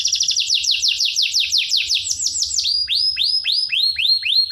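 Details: Canary song for training young birds: a fast cascade of downslurred chirps slows into evenly spaced upswept whistles, roughly two per second.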